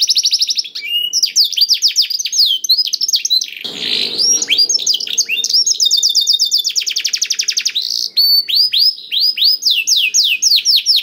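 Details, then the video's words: Canary song played to prompt hesitant canaries to sing, with long rapid trills of falling whistles, a brief harsh buzzy burst near the middle, then more repeated sweeping notes. "KENARI GACOR DOR INI MEMANCING KENARI YANG SUSAH BUNYI JADI IKUT GACOR"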